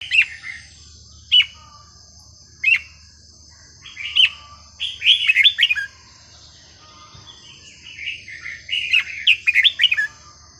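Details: Red-whiskered bulbul singing varied, non-repeating phrases in a prized sweet style, played to tutor young birds: short bright whistled phrases, some single notes, some rapid bubbling runs, every second or two, over a steady high whine.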